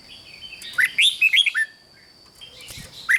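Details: Red-whiskered bulbul, song used to stir up caged birds: a rapid run of rising and falling bubbly whistled notes lasting under a second, then a lone upward-swept note near the end, with soft background hiss.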